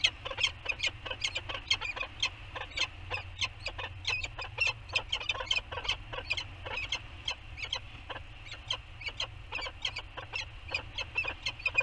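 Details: Morning bonding between a male and female Peregrine falcon in a rocky canyon nest bowl on Anacapa, September 2020, with beaking. A steady, fast series of harsh, clipped chips runs unbroken throughout.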